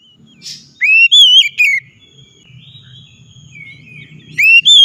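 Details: Oriental magpie-robin lure song to make quiet birds sing: loud rising whistled phrase with sharp slurred notes, a pause with low hum, then another whistle starting.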